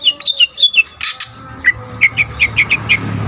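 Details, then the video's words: Long-tailed shrike singing a full song packed with mimicked phrases, used to rouse other shrikes: a run of quick, clear, rising whistled chirps, then a brief pause and a series of sharp repeated notes roughly every fifth of a second. "BURUNG CENDET GACOR FULL ISIAN,SUARA COCOK BUAT EMOSI CENDET LAIN"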